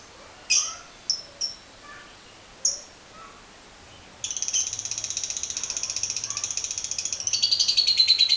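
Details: Lovebird giving its long 'ngekek' chatter, used as a lure to get other lovebirds singing: a few scattered sharp high chirps, then a fast buzzy run of repeated high notes that rises in intensity near the end.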